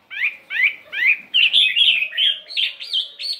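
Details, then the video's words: Chinese hwamei, a 72-gram fighting bird, singing in the morning: three rising slurred notes repeated about every half second, then a run of fluid warbled whistles. "Tiếng Chim Hoạ Mi Chiến 72gam Hót Đảo Giọng Rất Hay"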